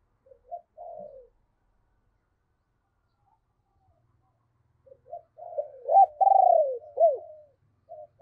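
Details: Deep-voiced spotted dove decoy calling to attract wild doves: brief soft coos, a long silence, then a loud rolling series of coos with sharp rising and falling inflections.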